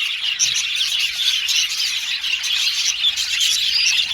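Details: Budgerigar flock kept in an aviary, singing and chirping: thick high chatter with sharp squeaky accents and short whistled notes rising out of the continuous group noise.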